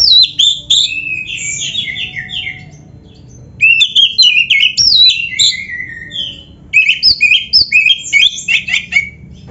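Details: White-rumped shama, a full, varied song used as a lure for other shamas: three bursts of rapid high whistled and chattering notes, sweeping up and down, with short pauses between phrases.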